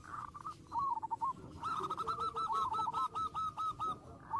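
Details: Against steady background noise, a zebra dove sings to provoke rival birds, giving rapid, rolling, bubbling notes in a long run that grows louder and more regular halfway through.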